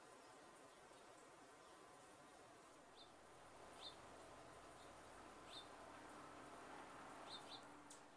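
Rufous hummingbird giving a few brief, high, sharp chips, spaced irregularly and sometimes doubled, over a steady buzzing hum.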